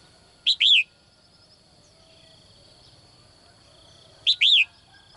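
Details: Female bird in a cage, calling in the morning to attract a strong male: two loud, high chirped double notes, the second rising then falling, about four seconds apart, over a faint steady high hum.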